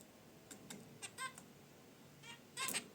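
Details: Short, buzzy chirps from zebra finches in a cage by their wicker basket nest come in a loose sequence, ending with a stronger double honk.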